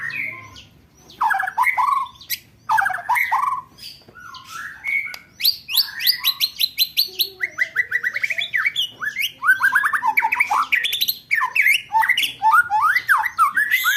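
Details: White-rumped shama giving a long, varied roll tembak song, used as training material for contest birds: a continuous flow of quick whistles, trills and chattering notes.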